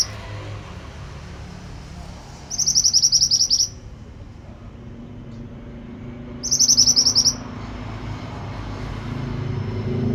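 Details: Pied bushchat song used to train other birds: two brief, fast, high-pitched twittering phrases about four seconds apart, with quiet pauses between them and a constant low background hum.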